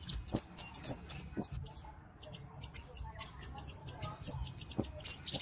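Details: Kemade singing a cabe-cabean style song, kept as a master and lure bird: a rapid run of very high, thin, sharp notes for about a second and a half, then scattered high chips and short trills with brief pauses.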